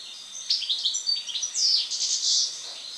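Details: European goldfinch, after moult, starts with quick chirping notes, then runs into a loud, dense buzzy and tinkling twitter that builds toward the end.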